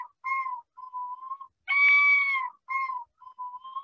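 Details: A Yellow-billed Loon gives the male-only territorial yodel in mellow, drawn-out hooting notes with short breaks, then a tremolo, which both sexes make, swelling into a loud wavering wail midway before softer notes resume.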